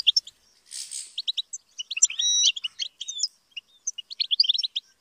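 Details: European goldfinch kept for rearing and song training, singing a lively twittering song of quick high chirps and buzzy notes, with a brief rasping burst early on and a short clear whistle midway, phrases broken by small pauses.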